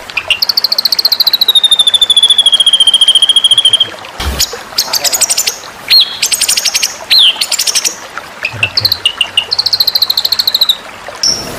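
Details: White-rumped shama masteran material for contest training: a long sustained high whistle sliding slightly downward, then a sharp break and a mix of steep rising and falling whistled notes, buzzy chatters and quick trills.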